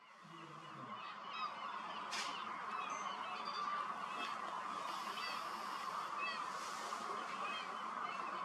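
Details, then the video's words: About 20,000 common starlings arriving in groups at sunset at a communal roost in a large reed field beside the Starrevaart birding lake. A dense, continuous wash of chattering with scattered high chirps and whistles. Some low honking calls come near the start. "20.000 Starling go to sleep / 20.000 Spreeuwen gaan slapen"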